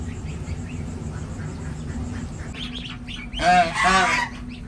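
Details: Six-day-old domestic gosling on a village farm in India. Faint scattered chirps over steady low rumbling noise, then two loud, harsh, harmonic calls in quick succession near the end.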